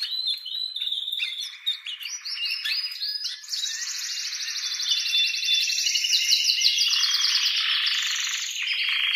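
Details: Male canary singing excitedly to stimulate mating, with female sounds from the nest: continuous high, fast trills and rolling warbled tours, rapid repeated notes shifting between pitches without pause.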